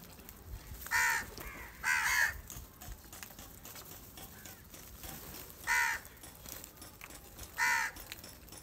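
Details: Angry crows gathering and squabbling over rice food: four loud, harsh caws, each a short rasping burst with a second caw following close behind, spaced across several seconds over a quiet outdoor background.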